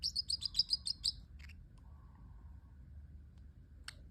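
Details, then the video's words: Caged pet parrotlet giving a quick series of about eight bright, high chirps in a rapid burst, then near silence with one faint sharp tick near the end. "parrotlet making cute sounds"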